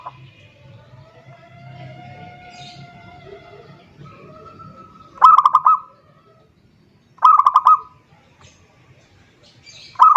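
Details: Zebra dove calling a rival, used as a lure: after several seconds of low rumbling background and faint tonal whistles, two short bursts of rapid staccato coos arrive about two seconds apart, then another starts at the end.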